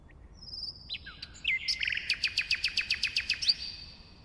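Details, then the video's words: Common nightingale singing: a long thin whistle and a few slurred notes open the phrase, then a rapid, evenly spaced series of about a dozen sharp, hard clicking notes in a rhythmic burst, ending on a bright accent. "Bülbül Ötümü (Nightingale singing)"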